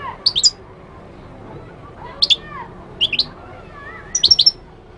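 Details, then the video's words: Short separated phrases from a Moroccan goldfinch: brief clusters of high, sharp chirps spaced about a second apart, with softer whistled tones faintly underneath and steady low background noise. "تغريد الحسون المغربي chant de chardonneret marocain"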